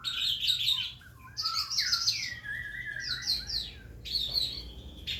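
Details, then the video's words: Young Calandra lark practising its song, suited as a lure to set other birds singing: rich jumbled warbling with trilled high bursts, slurred lower whistles and brief pauses, against faint background hum. "calandra belajar bunyi cocok buat pancingan"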